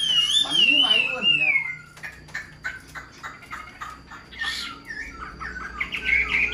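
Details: Tame caged Chinese hwamei opens with a bright wavering whistle, followed by a series of short clipped chattering notes and harsh squawks at irregular intervals, with a quieter whistle at the end.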